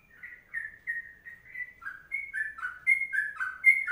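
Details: Sooty-headed bulbul in the long 'kongslet' song style: clear, mellow whistled notes, softer at first, then growing louder and faster, each a short slurred phrase, in a quiet setting.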